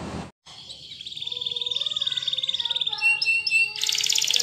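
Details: Belgian canary song after a short noise burst: a rapid pulsed trill over lower tonal lines, then warbling notes and a high buzzy roll.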